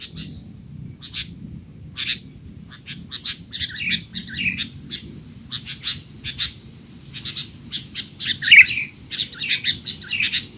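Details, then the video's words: Busy sooty-headed bulbul calls meant for young bulbuls: a continuous scatter of short high chirps and quick twitters, growing denser and louder toward the end, over a soft low hum. "burung kutilang teler!! suara ribut paling cocok untuk kutilang bahan"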